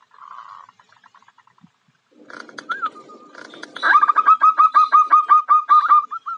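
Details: A local female zebra dove (perkutut, Geopelia striata) calls to attract a male: soft trilled cooing, then a quick, even run of short mid-pitched notes, about two or three per second.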